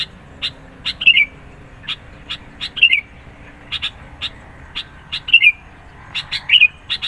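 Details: Insistent sooty-headed bulbul song for provoking rivals and luring birds: high clicking notes repeated at uneven intervals, with short bright twitters recurring about every one and a half seconds.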